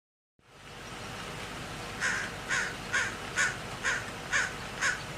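A crow gives six harsh, rasping caws in quick succession, about two each second, over a steady background hiss.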